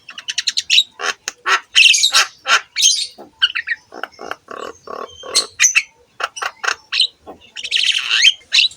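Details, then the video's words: Javan myna song used as training material for other mynas: a loud, varied jumble of harsh squawks, rasping bursts and sharp chirps in quick irregular succession, with occasional whistled notes near the end. "KICAUAN BURUNG JALAK KEBO GACOR COCOK UNTUK MASTERAN SEMUA JENIS JALAK"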